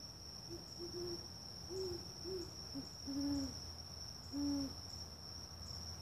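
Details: Great horned owl hooting repeatedly, deep mellow notes in an irregular series, some short and some longer with a slight rise and fall, against a constant shrill insect trill in the background.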